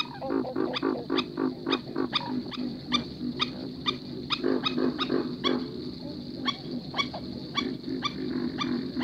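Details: Black-necked Stilts, startled and unseen at night on a muddy marsh bank, perhaps a pair, give distress calls: sharp, nasal yipping notes about three a second, unevenly spaced and overlapping, over a steady night hum of insects.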